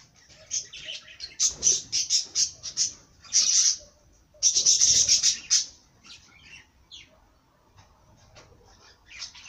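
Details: Singing bird, rapid high twittering: a burst of quick sharp chirps around the second and fifth seconds, then scattered single notes over a quiet background.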